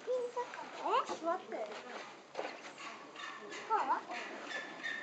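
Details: Moulting king penguin chick at Asahiyama Zoo, recorded 6 April 2012, giving short whistled chirps that sweep up and down, in bursts near the start and again after three seconds, with faint background chatter.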